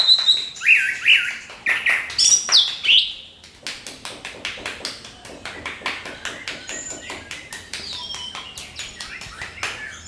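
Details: Orange-headed thrush singing a lure song meant to provoke other birds into singing: loud sweeping whistled phrases with sharp rising and falling notes, followed by a fast run of dry ticking clicks.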